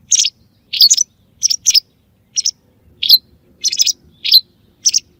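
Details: White wagtail lure call for hunting: high, clipped chirps, often in pairs, repeated steadily about twice a second with brief gaps.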